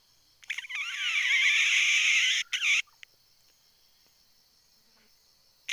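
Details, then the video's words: Decoy red junglefowl hen, a cackling call used to lure wild junglefowl, recorded 20 April 2020: one loud, harsh, harmonic note held about two seconds, then two short clipped notes, over a steady high insect hum. "ไก่ต่อแม่กะตาก poj qaib dib tsauj"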